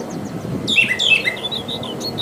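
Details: Brown Thrasher in the wild delivering one burst of buzzy, down-slurred notes in quick succession partway through, with a steady low hum beneath.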